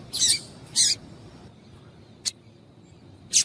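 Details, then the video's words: Female Double-collared seedeater calling to set males singing: two longer, harsh high notes close together, then two isolated short, piercing chips spaced about a second apart. "Piado de Fêmea de Coleiro para Esquentar Coleiro"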